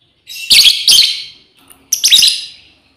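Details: Female lovebird calling to its companions; two harsh, buzzy chattering bursts followed by a third after a short pause, loud and high-pitched with broad noisy texture.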